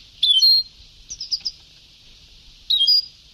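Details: European goldfinch singing Sebtawi style on an old tape, a loud high twitter, a run of softer quick chirps, then another loud twittered phrase.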